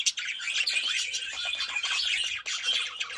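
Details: Budgerigars singing in a mating context: dense, continuous chattering warble of squeaky chirps, clicks and rasping notes, scarcely pausing, with a brief dip near the end before the chatter resumes.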